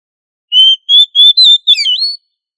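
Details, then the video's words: Oriental magpie-robin singing in lively ngobra style, a recording meant to train other magpie-robins to sing loudly: a short phrase of clear, high whistled notes, first steady and level, then twisting up and down, with no other sounds. "Suara Burung kacer Gacor Ngobra untuk Melatih Kacer agar Plong Keras"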